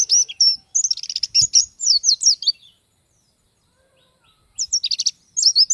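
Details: Lively, fast twittering song of an Oriental white-eye: dense high chattering phrases of slurred and buzzy notes for two and a half seconds, a silent gap, then another short burst.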